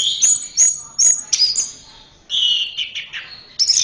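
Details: Anis merah, or orange-headed thrush, giving a rapid series of high sharp whistled notes roughly every third of a second, then a sustained warbled phrase; intended as a training recording for caged birds.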